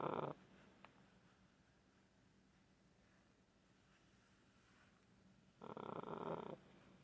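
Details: A pet green-winged macaw cuddling with its owner gives two short, raspy, grumbling bursts about five seconds apart, with a quiet room and a faint steady hum in between.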